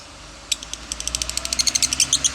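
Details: Lovebird in 'konslet' song for a master recording: after half a second of quiet, sharp high chirps begin sparsely and then quicken into a tight, regular run of squeaky notes.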